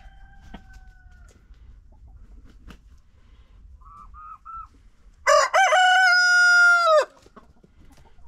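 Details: A rooster's morning wake-up call: one loud crow held steady for almost two seconds before breaking off, after a few faint short clucks and a distant crow.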